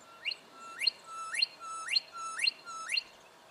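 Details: In Victoria, Australia, during October 2011, a juvenile brown goshawk calls six times: level whistled tones ending in a quick rising flick, repeated roughly every half second in a quiet setting.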